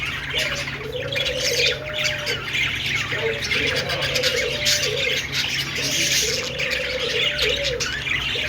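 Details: Budgerigars chirping together in a dense, continuous chatter of high twittering and squawky notes. A steady tonal hum rises and falls in repeated swells beneath it.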